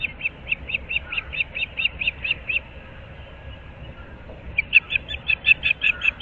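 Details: Osprey pair at their nest in Moorings Park, Naples, Florida, recorded at 06:37 on 15 April 2024: series of high, short chirping whistles repeated quickly, about thirteen notes, a pause, then another rapid run, over steady background hiss.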